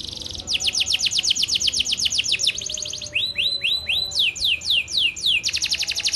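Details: Canary song switches between phrases: fast high trills, then slower dropping whistled notes, then quick upward-swept notes, before returning to a dense rapid trill.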